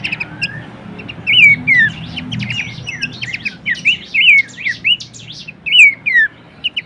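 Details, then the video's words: Bush warbler song recorded as tutor material for songbirds: a soft low murmur at first, then loud looping whistles mixed with quick jumbled high notes, repeated in short bursts. "materi vokal mewah cetak jawara dengan masteran Topcerr khas burung pelanduksemak"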